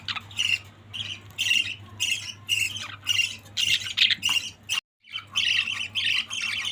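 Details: Family of budgies squawking and chirping in dense, buzzy bursts roughly twice a second, broken by one brief silence, a low hum beneath.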